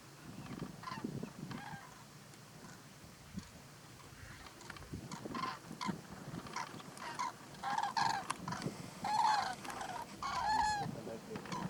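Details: Close-up of Common cranes at Little Rann of Kutch, Gujarat, India, in January 2020, giving loud, rolling trumpeted calls, several bursts in the last few seconds, over softer murmuring calls from the flock.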